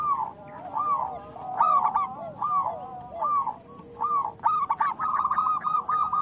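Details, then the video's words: Loud song of local zebra doves, used as a lure for reluctant singers: short downcurved coo notes repeated about once per second, building into a fast rolling trill, with overlapping birds and a faint high electronic hum. "Perkutut lokal gacor Suara Besar Panggilan Perkutut Agar Bunyi"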